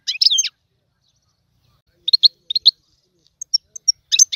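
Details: Goldfinch, a trained singer, in Tiwawati style: a brief twittered burst, scattered pairs of sharp chips, thin high single notes, and a closing twitter, with long quiet gaps.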